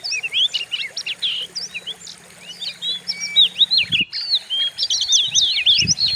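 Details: Kacer (white-rumped shama) training song, fierce and varied: sweeping whistles and quick chips in an unbroken run, a brief low hum and a short knock near the middle.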